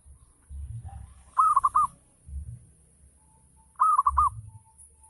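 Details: Local zebra dove in full ngayer song to trigger other doves to respond: two clusters of quick bubbling coos about two and a half seconds apart, with dull low bumps between them.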